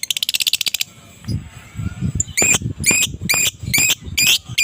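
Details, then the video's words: Adult fighter lovebird singing ngekek in the morning to prompt silent lovebirds to reply: a fast buzzy rattle of rapid notes, a short gap with low background rumble, then loud harsh squawks repeated roughly twice a second. "pancingan suara lovebird dewasa fighter ngekek dipagi hari Jos pasti respon lb bisu"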